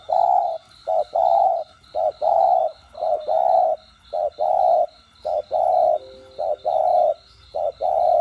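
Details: Spotted dove, or cu đất, giving a rhythmic coo sequence used to stimulate captive doves: brief hoots alternating with longer, even coos, repeated about once a second, over a regular high pulsing buzz in the background.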